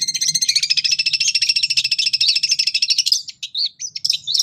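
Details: Long-tailed shrike singing full gacor with cililin fill, played to train captive birds: a sustained fast buzzy trill for about three seconds, then separate sharp chirps and short whistles, over a faint low hum.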